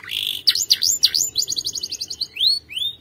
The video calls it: Canary' s most powerful song - spectacular video training canary singing bird